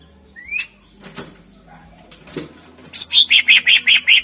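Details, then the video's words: Greater green leafbird in full song, meant to lure contest birds. A rising whistle and scattered soft notes give way to a steady run of seven loud, evenly spaced ringing notes. "Suara Full Cucak Ijo Gacor Ampuh Untk Pancingan Burung Kontes"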